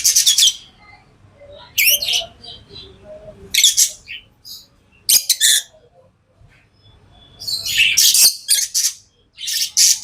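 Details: Pet lovebirds calling with shrill, buzzy chirps in bursts every second or two, ending in a busier run of high squeaks, against faint indoor background noise.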